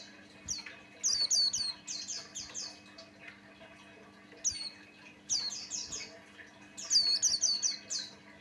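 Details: Lure song from a Buxtoni white-eye for prompting other white-eyes to sing: rapid chains of high, sliding chirps in dense bursts of five or six notes, broken by short quiet spells, over a low background hum.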